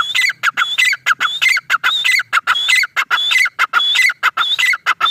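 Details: Fast, regular calling by a male grey francolin: loud phrases of a rising high whistle and a falling lower note repeated throughout, with a faint low hum underneath.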